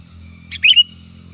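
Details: A single loud sooty-headed bulbul phrase of the kind used to lure birds and tutor them. A soft chirp leads into two bright quick notes that trail into a level whistle, set against a steady low hum.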